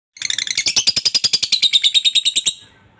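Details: Lovebird giving a long ngekek chatter, used to prompt other lovebirds to answer. About twenty fast, high, buzzy notes run together for over two seconds, then stop abruptly.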